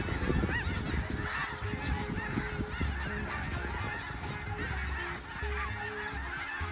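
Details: A large flock of wintering snow geese in Vancouver, having migrated south from the Arctic, clamors nonstop; overlapping nasal honks and yelps blend into a dense, continuous din with low rumbling underneath.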